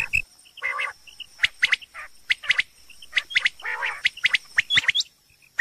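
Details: Rain quail calling in the morning: sharp, high, paired whistled notes repeated irregularly about once a second, with a few harsher bursts and a steady insect whine.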